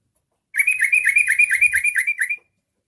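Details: Short, dense burst of quick repeated chattering notes from a yellow-vented bulbul, lasting about two seconds in a quiet setting, sung to stir other bulbuls into song.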